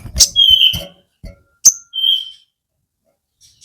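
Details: Crested jay (sogon) calling, used to provoke other sogon birds and raise their breeding drive; two sustained whistled notes near the same pitch, with scattered short sharp clicks and bursts between them.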